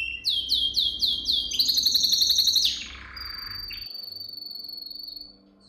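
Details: Canary training song: a quick run of five repeated upswept whistled notes, then a rapid buzzy trill, followed by a long steady high whistle with a fine pulsing rattle that fades out.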